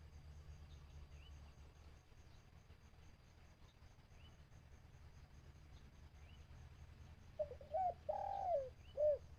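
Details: Decoy dove in bird trapping calling to wild birds. Mostly low hum and faint distant chirps, then near the end a cooing phrase of short notes, a drawn-out falling coo and a rounded final coo.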